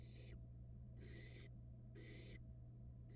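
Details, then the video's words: Young barn owl in a Florida nest box, swallowing a rat, makes three coarse, breathy hisses, each lasting around half a second, with short gaps between them and a steady hum in the background. "Barn owl nestling has this "DOWN": Swallows rat super fast"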